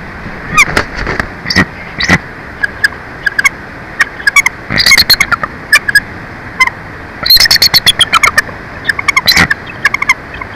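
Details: Bald eagles at a live-cam nest at Big Bear Lake during incubation shift changes: rapid bursts of short, sharp chirping and piping notes, clustered in irregular volleys, over constant background hiss.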